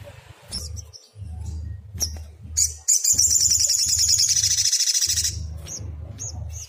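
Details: Sogon, or black sunbird, in an agitated lure song used to make other birds reply: scattered thin high chips, then a rapid high-pitched trill of about two seconds and more short chips, with a pulsing low hum beneath.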